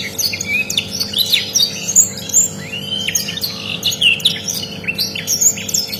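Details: Rare canary singing, recorded as a tutor song: quick varied whistles and sliding notes, high and continuous with short gaps.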